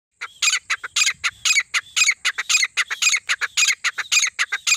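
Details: Partridge calling in the jungle: rapid harsh squawking notes repeated about twice per second in a steady run, with a constant high electronic whine in the background.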